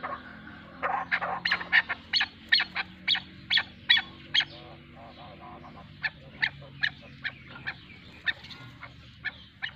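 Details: A pair of chukar partridges with the female calling: a run of sharp, clipped chuk notes about two to three per second, loudest early on, then softer spaced repeats, over a low background hum.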